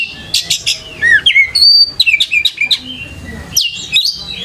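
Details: Oriental magpie-robin singing as a lure to draw answering song: varied whistles bending up and down, a long level tone, then rapid chattering phrases and sharp clicks.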